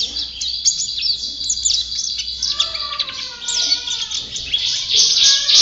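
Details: High, quick twittering from a white-eye, varied short whistled notes strung together, ending in a louder hissy burst.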